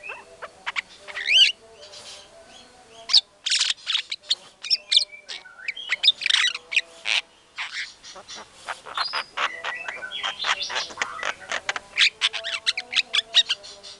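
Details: Murai batu, the white-rumped shama, singing vigorously as lure material meant to provoke a response from other shamas; varied looping whistles early, then a long rattling series of rapid sharp clicks and chips, with a faint hum underneath.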